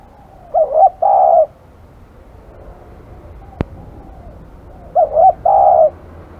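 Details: Spotted dove called aggressive, cooing twice: each phrase two brief wavering notes then a longer sustained coo, about four seconds apart, with a single sharp click between them.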